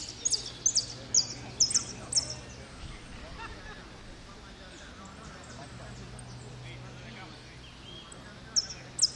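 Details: Goldfinch singing in 'blanco de repique' style, placed second at Merlo, 3 January 2016: bursts of high, sharp, clipped notes in quick runs, then a pause and a closing burst, over low steady hum and distant murmur.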